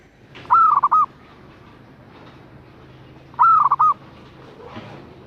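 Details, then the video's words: Twice, a female zebra dove calls to attract a male, each time with a drawn note running into quick staccato pulses. A noisy hissing background persists throughout. "Perkutut Betina Memanggil Jantan"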